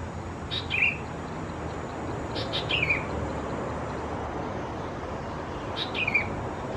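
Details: Fledgling Sooty-headed Bulbuls near a house at Khao Yoi, Phetchaburi, Thailand, mid-June, uttering three hoarse down-slurred chirps with scratchy onsets, spaced irregularly, amid faint background rumble.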